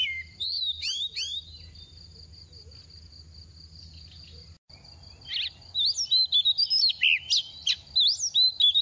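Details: Moulting oriental magpie-robin in its second season: a few sweeping whistles open, then a long quiet stretch with a steady high whine, before a burst of fast, varied chirps and rising whistled notes.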